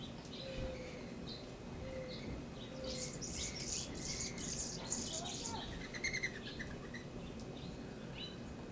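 Anna's hummingbird gives a burst of thin, scratchy, high-pitched buzzing notes, with soft low whistles and brief chirps from other birds around it.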